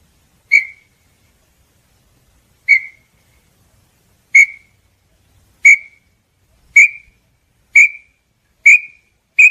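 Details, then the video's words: Small-billed tinamou song: eight short, piercing whistled notes that come steadily faster, about two seconds apart at first and under one second by the end. "canto da INHAMBU-CHORORÓ"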